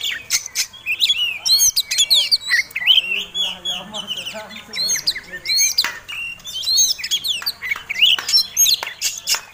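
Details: Oriental magpie-robin (kacer) singing a fighting song meant to provoke other birds. Bright, varied whistled phrases with rising and falling slurs and sharp chips come in quick bursts, broken by short pauses. A faint low murmur sits underneath.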